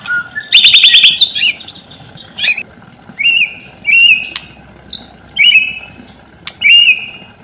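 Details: White-rumped shama lure song to get silent shamas singing: an opening buzzy trill, then short whistled phrases repeated about once a second, each a rising slurred note with a sharp click.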